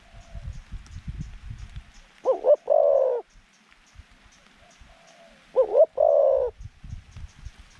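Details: Decoy zebra dove with a medium-pitched voice, cooing to draw wild doves into a trap enclosure: two phrases of quick double notes and a rolled coo, with low rumbling background noise.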